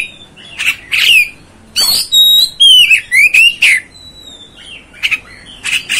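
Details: Kacer, the Oriental magpie-robin, singing to provoke other birds: loud, clear slurred whistles rising and falling, a dense burst of phrases, then a quieter gap and scratchy closing notes.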